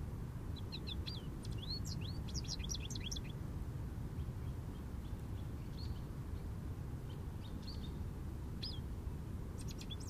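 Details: A jubilant American goldfinch perched in an Eastern Red Cedar on a morning gives a quick run of high, sweet twittering notes for about three seconds, then scattered chips, over a steady low rumble of wind.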